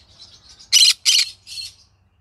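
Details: Evening calls from a pet green-cheeked conure: quiet chatter leading into two loud, raspy, grating squawks in quick succession, followed by a softer, shorter rasp.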